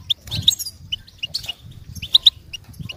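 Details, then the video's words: Goldfinch singing in scattered bright chirps and short twitters, sharp high notes spaced irregularly, with a faint low rumble underneath. "Birds Chirping How To Attract Goldfinch Attracting With Songs"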